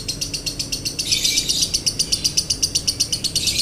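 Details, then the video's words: Dry-toned 'konslet' song from a lovebird, meant to train and provoke other birds: a very steady, high, buzzy chatter, pulses repeating about four times per second throughout, with little other sound. "MASTERAN LOVEBIRD KONSLET NADA KERING | PANCINGAN SUARA LOVEBIRD KONSLET"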